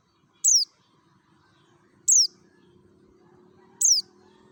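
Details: Lone sharp chirps from a Merapi mountain white-eye, wild-style lure song: one high falling note roughly every two seconds, over a steady faint low hum.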